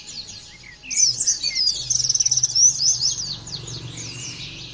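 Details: A pleci (Oriental white-eye) is recorded for other birds to imitate. Scattered high notes lead into a sustained, dense chatter of piercing twitters with a fast buzzy trill in the middle, then fade to softer notes. A low hum persists.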